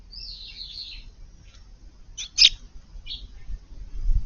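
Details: Eurasian tree sparrow in a garden where birds dust-bathe in a flowerbed on a hot summer day, August 5th; a rough, slurred chirp opens, followed after a pause by two sharp clipped chirps and a short note, low rustling beneath.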